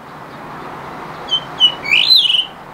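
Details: Blue rock thrush in late afternoon, a soft steady background hiss with two brief whistles then a loud rising warbled phrase with trilled ending.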